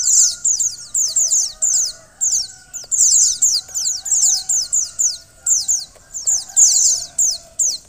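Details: Female white-eye, calling to make a male sing sooner: rapid chains of thin, high descending chirps in repeated short bursts, near-continuous throughout, with a faint electrical-sounding hum underneath.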